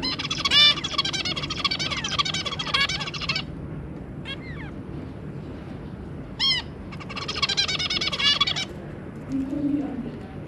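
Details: Zebra finch family, an adult pair with three juveniles, recorded 2 August 2022: two bursts of rapid buzzy, harmonic-rich song lasting several seconds each, separated by short, sharp nasal calls over a low background rumble.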